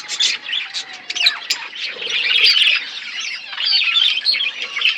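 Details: Several pet budgerigars chirping while eating food; dense overlapping warbling chatter and squawky notes, continuous with brief louder bursts.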